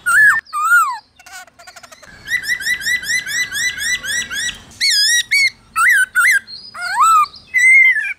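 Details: Black-throated laughingthrush in wild-style 'forest voice' song, used to train captive birds: loud, clear whistled notes with bending slurs, then a fast run of rising chirped phrases and more ringing upswept whistles.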